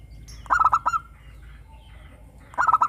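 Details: Vigorous morning cooing from a local zebra dove: a fast string of four or five hollow notes ending in a slightly longer one. A second phrase starts two seconds later.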